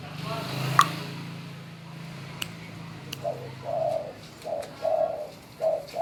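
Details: Spotted dove trained to call when told, starting a series of low, mellow coos partway through after a stretch of background hum and a few clicks.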